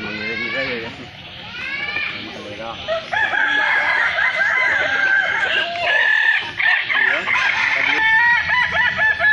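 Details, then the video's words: Balenggek chickens crow at a festival in Solok City. Quick arched syllables overlap in a crowded chorus that grows louder after about three seconds, with many roosters calling at once. "festival ayam kukuak balenggek Kota Solok"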